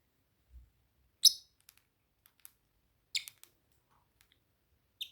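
Cockatiel giving a few brief, harsh, high chirps with short silences between them.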